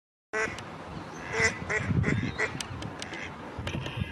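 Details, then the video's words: A female mallard at Strandbad Blies, Ludwigshafen am Rhein, gives harsh, nasal quacks in a loose series over low rumbling background noise. "Mallard Duck Female calling / Stockente Weibchen am Quaken"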